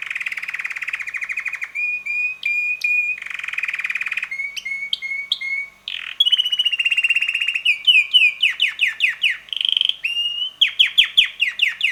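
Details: Red male canary of about six months, singing much of the day: alternating harsh buzzy rolls and clear whistled notes, shifting between trills and quick upward and downward sweeps in a varied, continuous phrase.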